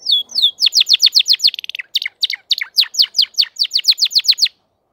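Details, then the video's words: Crested canary singing in full form: a long, fast stream of high descending sweeps, a quick tight trill, then further rapid sweeping notes that end abruptly. "تغريد كناري متوج (مقنبر) Chant Canari Pleine de Forme"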